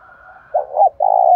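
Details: Spotted dove calling while stirred up to fight, in the windy, rainy seventh month, said to be of the local thổ voice type; a low, slurred cooing phrase of two notes, then a longer steady coo, with no other clear sounds.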